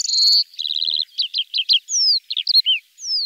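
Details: Common starling singing a varied phrase: a long high whistle, a stuttering chattering run, clipped notes, then falling slurred whistles and a sweeping downward whistle at the end.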